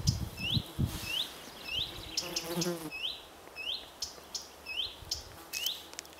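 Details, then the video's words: Mixed brood of one common cuckoo chick and six common redstart chicks in the nest, begging with high, thin, rising chirps about twice a second, overlapping, with a rustling burst and low thumps partway through. "Mixed brood of Cuckoo chick and six redstarts' chicks"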